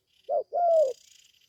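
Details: Young spotted dove from Gia Lai, Vietnam, newly started calling and taken to the forest for its first training, giving a short low coo followed by a longer, slightly falling hollow coo; faint high hiss in the background.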